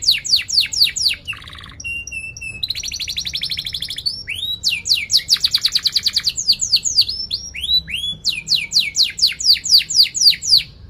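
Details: Energetic canary song with sharp chirps and rolls for training young canaries and restarting silent ones. Bursts of rapid downslurred notes alternate with buzzy trills and a short low pure-toned whistle.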